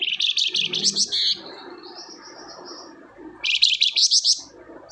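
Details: Energetic flamboyan song meant to coax a quiet bird into singing: a burst of sharp high chirps, a thin level whistle trailing off, then a second dense rush of rapid notes.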